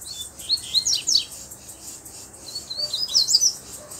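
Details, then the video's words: Wild, free-living double-collared seedeater with black plumage and a bluish-white bill, singing steadily: bursts of high, quick chirped and slurred notes, some sweeping sharply up and down, separated by short pauses over a hissing background. "Coleiro Preto do Bico Branco Azulado Solto Batendo Firme!!!"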